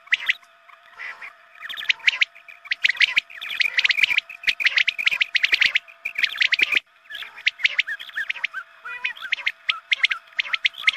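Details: Quail calling, played at dawn prayer time so more quail will come: busy, overlapping chirps and buzzy notes in long dense stretches with a brief lull midway, plus a steady faint hum.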